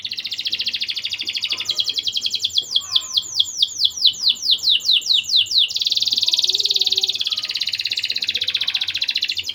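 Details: Canary in energetic song as a lure for young canaries: a buzzy trill, a series of loud falling chirps, then another long rolling trill.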